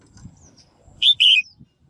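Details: Female bird calling to stir males into lively singing: one loud, bright two-part chirp, a short high note followed by a longer, slightly falling one, over faint low background rumble.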